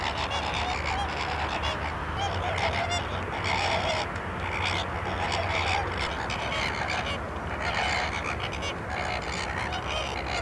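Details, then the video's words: Flamingos on the salt lake at Larnaca, Cyprus, a large flock producing continuous nasal honking and gabbling, calls overlapping throughout, with low background rumble. "flamingos at salt lake Larnaca Cyprus"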